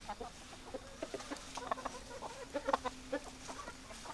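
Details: Hens clucking: soft low clucks scattered irregularly, with a few sharper notes near the end, over a steady low hum.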